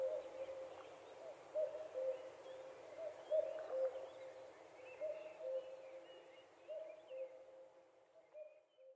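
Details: Common cuckoo in Finnish summer, evening, recorded on a dock in good weather. Repeated mellow cuck-oo, the falling pair coming about every one and a half to two seconds and fading toward the end, with scattered songbird notes behind.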